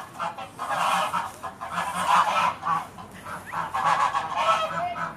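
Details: At Beamish, geese going to bed for the evening give loud, harsh honks in pulsing bursts about once a second, several birds calling over one another.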